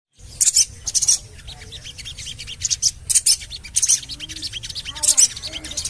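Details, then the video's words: Javan cochoa call used as a lure to get birds singing: sharp, very high chirps in short bursts about every half second, over faint background chirping and a low hum. "CUIT...CUIT...CUIT PANGGILAN SOGON AGAR BUNYI"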